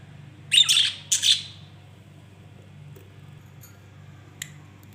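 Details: Lovebirds squawking: two loud, raspy, shrill screeches close together near the start, then mostly quiet with a few faint clicks and a low constant hum.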